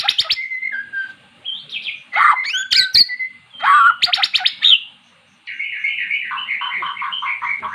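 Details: Magpie-robin that had never sung, now singing after being lured with recorded magpie-robin song: varied phrases of clear whistles, sharp rising and falling notes and buzzy bursts, ending in a run of rapid repeated notes after a short pause.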